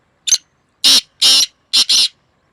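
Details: Loud, close black francolin answering a rival bird, May 2024: a thin short note, then two long grating, rasping notes and a fast two-part finish, clean and without background sound.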